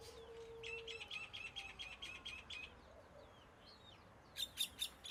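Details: Common myna (Acridotheres tristis) at moderate distance: an even series of thin, clipped chirps repeated quickly, then a few soft slurred whistles and a short louder burst of sharp notes at the end.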